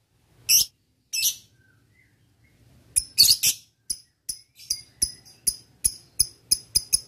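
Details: Ngetik ticking from a male lovebird calling a rival, used as a lure: two isolated shrill notes, a brief cluster, then a string of sharp, clipped high ticks repeated roughly every half second.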